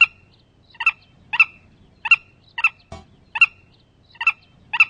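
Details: Medium-sized shorebird, the Willet, calling steadily: nine loud, clipped double notes with a bright ringing quality, spaced roughly half a second to a second apart, with one short click partway through.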